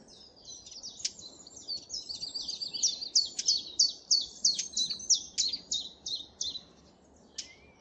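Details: Blackcap singing among blossoming trees at a local patch in East Tilbury, woodland alive with birdsong; a fast, scratchy, warbling phrase of high twittering notes building to clearer whistled notes, then slowing, over faint low background noise.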